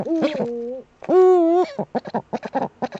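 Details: Eurasian eagle-owl at its nest niche on 28 February 2013, webcam recording: two held, nasal, harmonic notes followed by a quick series of short clipped notes.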